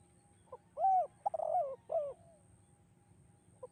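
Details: Echoing 'kuk 2' song of a spotted dove: a faint lead-in note, a clear arched coo, a trilled, stuttering coo falling in pitch, then a final arched coo, followed by quiet.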